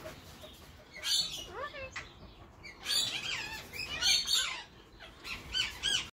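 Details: In spring, a male Indian ringneck parakeet kept as a pet, a Grey Edged mutation, chatters while courting his female partner. Scattered raspy squawks mix with curved whistled notes, moderately loud and irregular.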